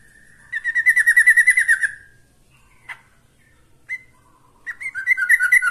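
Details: Yellow-vented bulbul singing to call a rival: bubbly, warbled phrases around two kilohertz lasting over a second, then a short note, a pause, and another rapid gurgling burst near the end.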